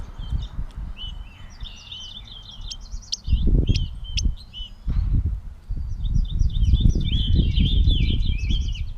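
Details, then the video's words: Gray catbird in Bowdoinham, Maine, on 16 May 2020, giving a jumbled run of short squeaky and chattering notes in two bursts separated by a pause, over low rumbling wind or handling noise. "The many sounds of the Catbird"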